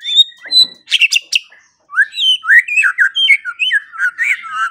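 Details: Tutor song of a white-rumped shama, played mornings and evenings to coax quiet birds into their full repertoire: high whistled notes, a brief pause, then a rapid, varied run of rich chirps and slurred phrases.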